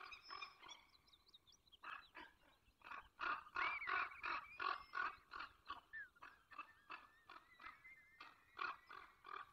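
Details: Peregrine falcon in the Barycz Valley, recorded at 8:20 on 24 April 2021: harsh, harmonic calls repeated rapidly, nearly three per second, with brief pauses, while thin whistles of other birds run through the background.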